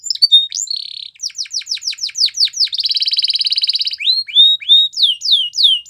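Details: Singing canary in a training song: rapid descending sweeps repeated in quick series, a long buzzy rolled trill, then clear whistled upslurred notes, high and continuous throughout.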